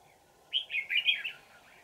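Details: Wild red-whiskered bulbul singing during decoy trapping, recorded on 20 December 2018 with a mountain-forest bell-like twisting voice: a quick run of bright, warbled whistled notes lasting under a second.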